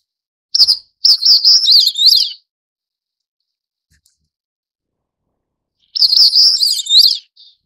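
Crested Bunting singing two bright, high phrases of quick chirps and twittering notes, each lasting over a second, separated by a few seconds of silence.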